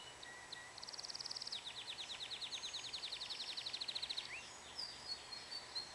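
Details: Song of a pet canary: a short buzzy rolled trill, then a long series of rapid repeated high notes, followed by a rising slur and scattered thin whistles, against faint hiss.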